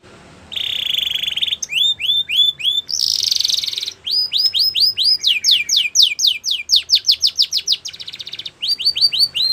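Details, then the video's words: Belgian canary singing a loud, varied song: a sustained buzzy trill, then runs of rising whistled slurs and falling sweeps repeated about four per second, ending in quick upward notes. "Belgian Canary Song"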